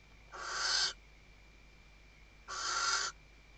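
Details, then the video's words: Western barn owl female at Riet Vell reserve, Tarragona, Spain, in the 2023 season, calling the male: two breathy, rough screeches, each swelling over half a second, about two seconds apart, with a constant faint whine. "Atusando el nido y llamando al macho · Stuffing the nest and calling the male"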